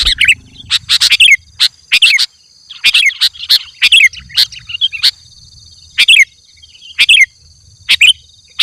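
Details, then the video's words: Sooty-headed bulbul sounds meant to draw in wild bulbuls: sharp descending chirps, single or doubled, spaced roughly once a second. A steady high insect whine continues throughout. "Suara Burung Kutilang Gacor Memanggil Kutilang Liar"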